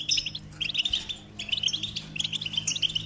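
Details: Goldfinch song in three quick bursts of bright, liquid twittering notes, each lasting about half a second to a second, separated by short gaps, with a faint low hum behind.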